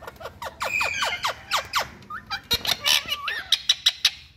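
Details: Parrots calling to each other in India, a rapid series of sharp descending squawks followed by whistled wavering notes and quick clipped chirps.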